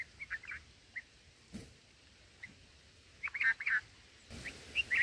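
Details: Black-headed bulbul nestlings in the nest being fed, caught by a camera left fixed at the nest. Short bursts of squeaky chirps arrive in scattered clusters, busiest near the end, over a quiet background.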